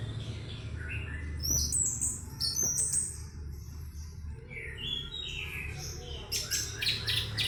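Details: Orange-headed thrush, described as a champion in the teler singing style, giving varied whistled and chattering phrases with rising and falling notes, some high and buzzy, over a steady low hum.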